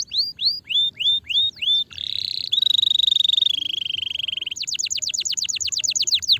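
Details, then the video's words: Canary singing a stimulating song: a few slow rising-and-falling whistled notes, then a long rapid buzzing trill that drops slightly, ending in a fast series of bright descending chirps. "Quick to stimulate the sound of the sluggish canary"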